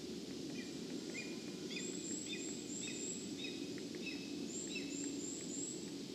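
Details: A lesser spotted eagle named Otto calls off-frame at a spruce nest on Lielā sala, Latvia, 4 September 2022, 17:27–17:35: thin, high yelping notes about twice a second in short runs, over rushing wind and leaves.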